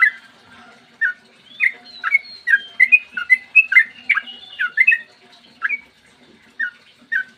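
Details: Morning long 'ropel' song of a sooty-headed bulbul, meant to prompt other bulbuls to sing: clear whistled, bubbly notes dropping and rising, clustered in a fast middle run and then spaced out near the end, over a soft steady hum.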